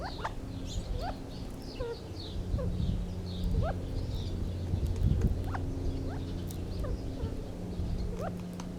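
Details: Gambel's quail giving short, scattered upward-sliding chirps and squeaks at irregular intervals over a steady low hum.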